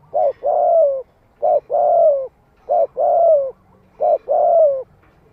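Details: Decoy spotted dove cooing to pull in wild birds. Four even phrases about a second apart, each a clipped hoot and then a longer hollow coo that falls at the end. Steady rhythm, quiet background.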